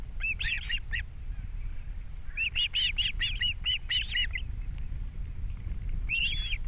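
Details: Osprey pair at a Captiva nest on April 3, 2022, male bringing fish at breakfast while female feeds chicks: bursts of sharp, whistled chirps in quick runs, a pause, then a short burst at the end, over a steady low rumble.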